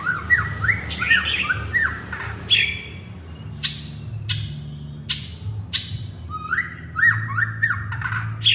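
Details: A male white-rumped shama calls to its partner with rapid rising and falling whistled notes, broken in the middle by several sharp clicking or tapping sounds before the whistles return.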